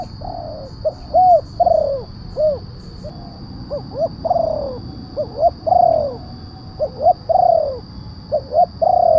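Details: Spotted dove calling for luring wild doves and training caged ones: a rapid series of repeated coo phrases, short rising notes ending in longer falling coos, continuing throughout with a faint constant high-pitched hum.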